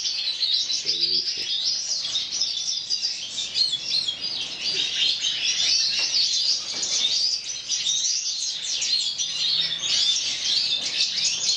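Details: Several mutation European goldfinches in an aviary flight, producing a dense, continuous chorus of overlapping high twittering, tinkling notes and buzzy trills with no clear breaks.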